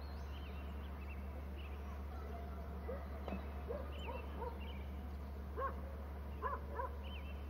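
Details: Bald eagle calling close by: a faint series of short, arched, squeaky notes, some paired high and lower, repeating irregularly over several seconds above a steady low hum.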